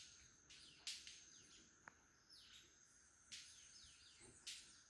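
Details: Several male White-collared Manakins lekking in Costa Rica at Rancho Naturalista Lodge: irregular loud wing snaps with short ringing tails, interspersed with soft falling chirps, over a steady high insect hum.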